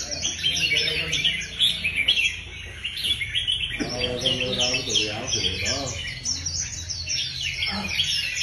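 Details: Contest-trained red-whiskered bulbuls kept in cages keep up a lively chorus of quick, warbled chirps, while people talk in the middle of the stretch.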